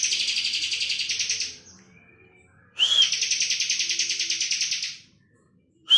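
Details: Energetic ngebren singing from a Bar-winged prinia: a drawn-out rattling trill that stops, a pause, then a crisp upslurred-downslurred whistle followed by another long, steady, high-pitched buzzing rattle.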